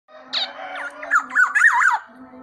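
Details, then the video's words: Tame black-naped oriole in active, full song: a short, rich, fluty whistled phrase that warbles up and down in quick liquid loops. Faint steady tones hum in the background. "KEPODANG EMAS JINAK GACOR"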